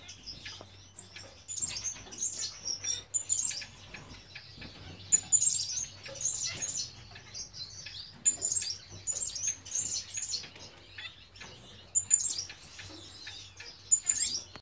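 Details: Baby double-barred (owl) finch on its first day out of the nest gives thin, high, squeaky chirps in scratchy bursts every second or two, over a faint low hum.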